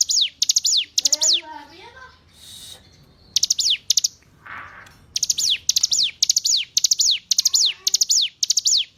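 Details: Hill prinia song for training captive songbirds: bursts of high ticks with descending sweeps, broken by a short gap filled with softer warbled notes and a brief hiss, then resuming at a steady pace.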